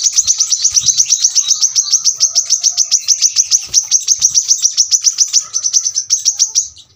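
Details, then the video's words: Brown-throated sunbird pouring out an unbroken, very rapid series of high, sharp needle-like notes for nearly seven seconds, steady and intense throughout. "kolibri kelapa | manggar | wiceh | tembakan rapat super tajam"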